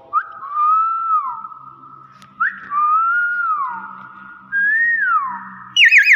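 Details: Captive hill myna, which also mimics speech, gives three long, clear whistles about two seconds apart, each swooping up, holding steady, then sliding down, over a faint hum, ending in a sharp squawk.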